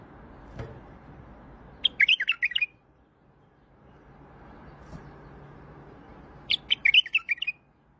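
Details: Iraqi white-eared bulbul giving two short bubbly whistled phrases about four seconds apart, each a quick run of warbled notes, over a low background hum.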